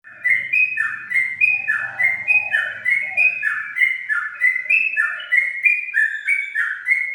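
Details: Yellow-vented bulbul (trucuk) singing a unique ngingklong-style song: a rapid, continuous run of clear whistled notes that step up and down in alternating pairs. A low hum sounds underneath during the first half.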